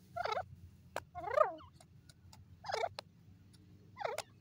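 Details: Grey francolin, known locally as dakni or Irani teetar, calling: four loud, harsh, ringing notes spaced about a second apart, each a rapid cluster of strained syllables, with faint clicks between and a low background hum.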